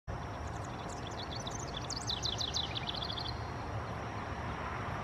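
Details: House wren with a youngster, early morning on 10 July 2020 at Reynolda Gardens, Winston-Salem, North Carolina, amid apparent family discord: a quick, bubbly run of high, tumbling notes for about three seconds over a low rumble of traffic or a train.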